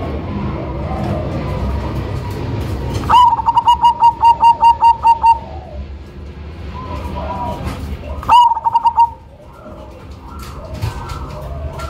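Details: Zebra dove of the Cemani strain, a loud lure bird, sings a long pulsed coo of roughly ten even beats after a sharp onset, then a brief second phrase, over noisy background with other doves cooing.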